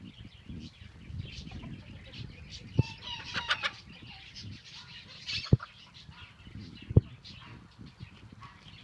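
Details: Young roosters, two flocks of four free ranging for the first time, fight over a hen: scattered low clucks, a short rising squawk, loud sharp thumps and wing flaps, with steady background rustle.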